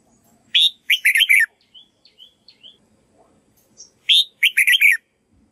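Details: A red-whiskered bulbul sings a training song for white-cheeked birds to copy. Loud, rich warbled phrases repeat about every three seconds, with quiet, thin whistled notes in the gaps.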